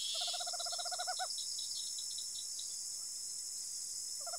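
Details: Tropical screech owl in rural Araçatuba, São Paulo, Brazil, gives a fast, low, purring trill of about a dozen hoots lasting a second, then starts again, over a steady high insect chorus.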